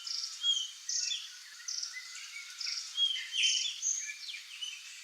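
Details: Flock of curl-crested jays, gralha-do-campo, free in the wild in Brazil, calling: short harsh and whistled notes at varied pitches overlap irregularly over a steady insect-like background hiss.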